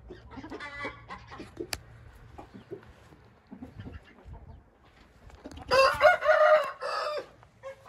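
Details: A Hint rooster crows loudly and hoarsely late in the recording, a rich harmonic call lasting about one and a half seconds, preceded by softer clucks, taps and a sharp click, with low hum beneath.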